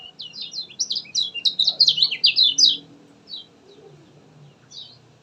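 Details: Common iora (kecial kuning) in lively, non-stop song, played as a lure to get a quiet iora to sing: a rapid burst of bright, sharp chirps and buzzy whistled notes tumbling over about two seconds, then a few sparse notes.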